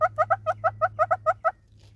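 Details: Southern red-billed hornbill, South Africa: ten quick, emphatic clucks, some paired, over about a second and a half before falling silent, with a steady low hum behind.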